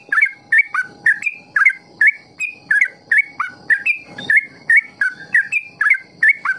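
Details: Trucukan singing in ropel style, a recording for training young trucuk to sing long ropel; steady chain of short liquid whistles, two to three a second, pitch hopping up and down.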